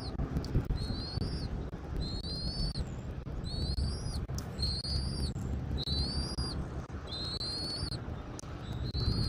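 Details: Southwest Florida nest camera, 13 January 2024 at 14:17: an eagle utters a steady series of high, squeaky, rising whistles, roughly one every second, against a constant wind hiss.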